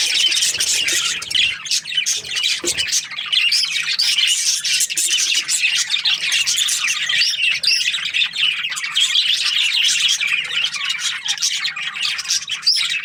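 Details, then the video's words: Aviary full of budgerigar breeding pairs, a long steady chorus of rapid high chirps, tweets and warbles from many birds, dense and constant. "Happy budgie chirping sounds | parakeet breeding pairs"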